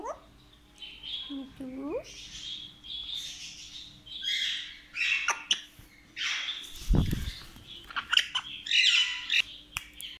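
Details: African grey parrot running through varied calls: a quick rising whistle, a wavering harmonic whistle, then a string of rasping squawks and chatter with a low thump midway.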